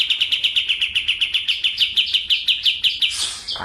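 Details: White-eye of the Medan type, a bird kept for song, singing actively in a rolling, fast 'shooting' style: a rapid run of bright, high, even chirps at about five per second for three seconds, ending in a harsh, noisy burst.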